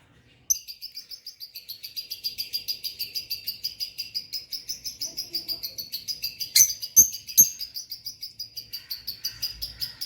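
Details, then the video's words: A pair of pet lovebirds gives relaxing chirps: a steady, rapid string of high twittering notes, about two or three a second, with a few louder sharp squeaks near the end. "Relaxing Chirp Sounds🤗 | Lovebird sounds"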